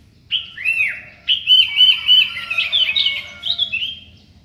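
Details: Sooty-headed bulbul in full morning song: loud, clear whistled phrases with rising and falling slurs, run together in quick bursts over about four seconds, with short pauses between them. The background is quiet.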